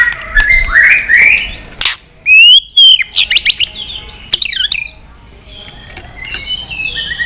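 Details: White-rumped shama singing in many voices during fighting song, flicking its tail: varied rich whistles, upslurred and downslurred phrases around mid-high pitch, a loud rising whistle burst, then quick sharp notes and softer trailing warbles.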